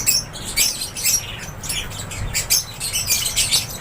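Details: Lovebirds in an aviary: a dense, constant chorus of shrill, high chirps and squeaks from many birds calling over one another, above a faint low rumble.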